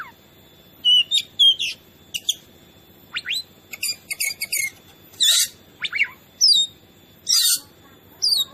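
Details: Oriental magpie-robin (kacer) in a vigorous training recording meant to rile other birds: scattered bright whistles and sharp chirps, some sliding downward, in short bursts separated by brief pauses over a quiet background.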